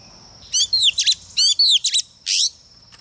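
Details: A lure female Oriental magpie-robin sings to provoke males: three short bursts of bright, high whistled phrases with descending slurs and a rasping final note, each burst about half a second long.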